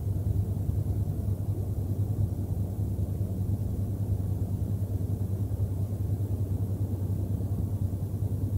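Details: A steady low rumble like a running engine or wind noise fills the recording, with no animal voices.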